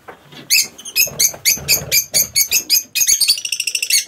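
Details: Lovebirds kept in an aviary give a rapid run of harsh, shrill shrieks, roughly four per second, ending in a fast buzzy trill.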